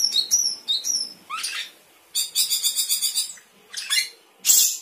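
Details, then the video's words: Sooty-headed bulbul singing 'gacor isian', a lively song filled with added phrases. Thin high slurred whistles and a rasping burst lead into a fast pulsing rattle of repeated notes, then more harsh bursts. "Cucak keling gacor isian"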